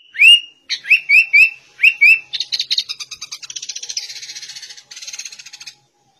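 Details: Sooty-headed bulbul singing in a white-rumped shama style. A few clear upslurred whistles in quick succession give way to a long, fast, buzzy chattering trill that fades out.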